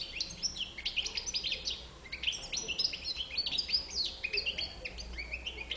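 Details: European goldfinch with a white bib pouring out a continuous, rapid twittering song of tinkling notes and short buzzy trills, high and fast without pause, over a faint low hum.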